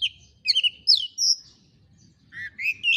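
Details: Oriental magpie-robin singing to draw a reluctant bird into countersinging: clear slurred whistles and a high sustained note, a short pause, then rising warbled phrases, over faint low background noise.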